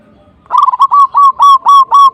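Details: Zebra dove (perkutut) singing to provoke a rival: a rhythmic series of loud, low, mellow cooing notes, each slightly rising then level, repeated about every quarter second after a brief quiet start.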